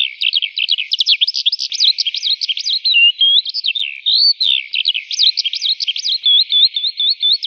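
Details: Lark in an open wheat field pouring out an unbroken high song of quick trills and looping whistled notes, briefly settling into a run of even repeated slurs near the end.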